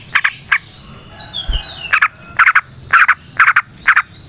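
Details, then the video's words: Yellow-vented bulbul used as a lure to prompt other bulbuls to sing. Short, harsh, grating bursts of two to four quick pulses, spaced irregularly, with faint thin whistles between. "Trucukan GACOR ngalas ROPEL PANJANG suara alam AMPUH buat pancingan"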